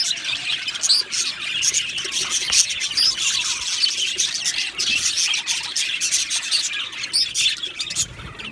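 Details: Australian budgies chirping in an aviary colony, dense high twittering broken by a few clear whistled pips and sharp squeaks, the chorus steady from start to finish.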